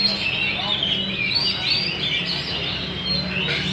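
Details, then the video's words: Wild-caught Hwamei, several birds singing and dancing in a cage-stand competition; rich, varied whistled phrases with quick slurred notes, steady continuous singing, low hum in the background. "Chim họa mi múa hót đấu giàn"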